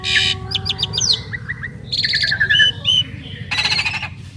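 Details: Asian pied starling pair duetting with harsh buzzy bursts, a quick run of short high notes, and clear level whistles, over a low background hum.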